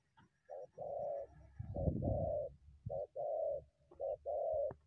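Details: Spotted dove, wild, coming from bushes to attack a decoy; repeated soft coos in short-then-long pairs, about one pair each second, over a burst of low rumbling and rustling noise.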